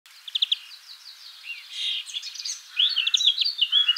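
European greenfinch giving quick, bright chirps and twittering trills, with a short buzzy, wheezy note in the middle. Faint background hiss.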